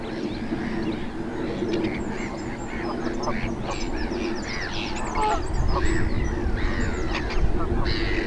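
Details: Greylag geese with young in the Cotswold Water Park, Gloucestershire, on 4 May 2022 honk and chatter over one another, mixed with thin high peeping notes, above a steady low rumble of wind.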